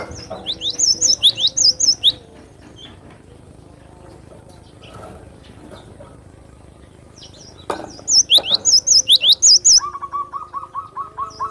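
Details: Cinereous tit singing, described as a provoking song for tutoring other birds: two bursts of rapid, sharp, high whistled notes, each slurred down then up, about nine per burst, separated by a quiet pause, with faint lower chirps near the end.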